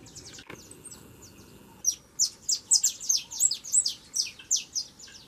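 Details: After a quiet opening with faint thin notes, a young saffron finch launches into a loud run of bright, high downslurred chirps, about three per second, to the end.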